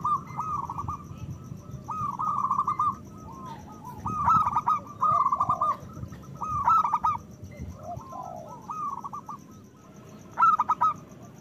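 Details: Loud local zebra dove song used as bait to rouse breeding desire and get reluctant doves singing. Repeated short bursts of rapid, ringing coos come every second or two, mixed with lower, drooping notes and a faint continuous hum.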